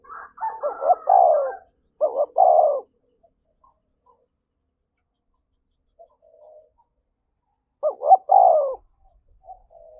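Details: Fight-provoking spotted dove coos, three phrases of quick broken notes and a falling coo spread over ten seconds, with long quiet gaps and faint soft notes between.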